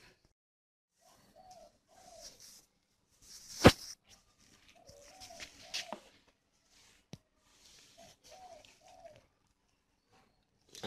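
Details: Coarse-voiced captive breeding spotted doves at a bird farm in Ba Vì, Hanoi, Vietnam: soft low cooing phrases of two or three notes come three times, separated by quiet gaps, with a loud sharp clack and light rustling in between.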